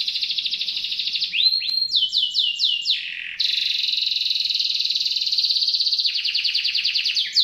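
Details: Canary song used as tutor material for contest magpie-robins, described as sharp and ear-piercing: continuous high trills switching between phrases, a run of quick downslurred whistles, then a long even buzzy roll and a faster chirping tour.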